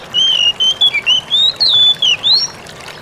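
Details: "Ngalas" song of an Oriental magpie-robin, played to draw replies from other magpie-robins: a chain of pure whistled notes, a few held level and several swooping down then up, around ten notes in under 2.5 seconds, with faint hiss behind.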